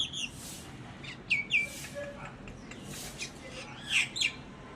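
Common myna giving short, sharp whistled notes and harsh chattering bursts, a few each second, with faint softer chirps in the background.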